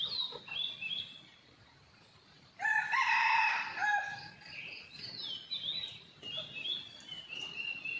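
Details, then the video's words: Morning after a storm, an energetic red junglefowl watched by a hidden camera: a quiet start, then a strong rasping crow near the middle, with thin high whistles and falling notes of other birds on either side. "ตั้งกล้องแอบชมไก่ป่า หลังพายุเช้านี้คึกมาก!!"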